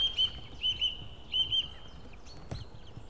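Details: White-tailed eagle at an Estonian nest during feeding on 16 April 2016 gives thin, high piping notes in quick pairs, three bursts over about two seconds, then a soft knock and faint rustle.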